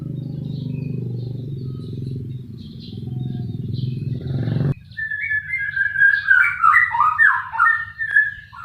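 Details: White-rumped shama: loud low rumbling noise for several seconds, then a burst of bright, rapid, varied whistled song phrases that continues to the end.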